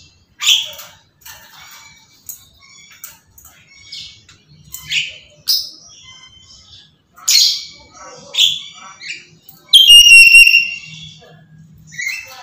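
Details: Nonstop screaming from a Black-capped lory: a rapid run of short, coarse squawks, several each second, ending in one long, strident, ringing screech near the close.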